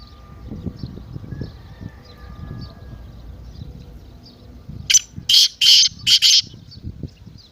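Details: Partridge call meant to excite a silent kept partridge into calling. After a quiet stretch with low rumbling background, a series of loud, harsh, rasping bursts comes in quick succession near the end. Faint chirps of other birds sound throughout.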